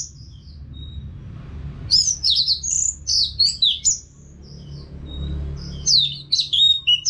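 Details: Orange-headed thrush, Anis Merah, singing long rapid phrases of bright, jumbled whistles and twitters around two to four seconds, then again near six seconds, meant to spur caged birds to answer.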